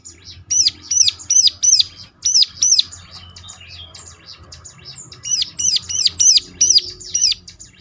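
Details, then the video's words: Lure recording of a ciblek singing to set other ciblek calling: bright, high, sharply rising-and-falling notes in quick bursts of four or five, a quieter chattering gap between them. "ciblek lain ngecLak ikut nyaut || mesti Nyautnya."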